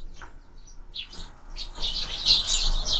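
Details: Sparrows at a bird feeder, filmed by a bird camera: a few scattered high chirps early on, then from mid-clip a busier run of overlapping bright, short chirps with faint low background rumble.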